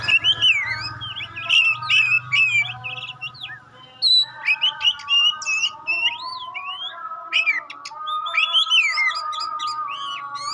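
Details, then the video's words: Oriental magpie-robin, kacer pastol type, in sustained rich song intended to test other magpie-robins: dense varied whistles, looping slurs and chattering bursts, brief pause midway, then more phrases over a steady humming drone. "Tes Kacer Anda dengan Kacer Pastol Ini. Semakin lama makin Panas"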